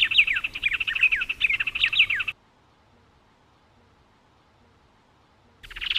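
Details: Song of Brazilian Cerrado birds: about two seconds of rapid chirping and descending whistled slurs, then a long silent gap before the high chirps start again at the close.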